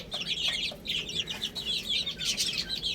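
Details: Many baby chickens feeding and playing, filling the short stretch with continuous shrill, tightly packed chirping.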